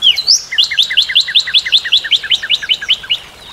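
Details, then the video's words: Northern cardinal singing: a high upslurred whistle opens, then a fast even run of about eighteen paired slurred notes, each a bright upper note dropping to a lower one, roughly five per second, in a quiet setting. "Découvrir le chant et la beauté du Cardinal du Nord"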